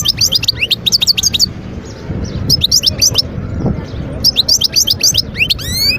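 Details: Twittering song of a wild European goldfinch, Skikda region, Algeria, 2022: short bursts of bright, liquid chirps and clipped trills repeated in clusters, with brief pauses and faint low background hum.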